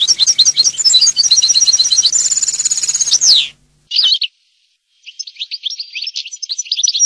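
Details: European goldfinch song with rapid, repeated twittering notes, a sustained buzzy trill and a falling slur, then a pause and softer, scattered chirps.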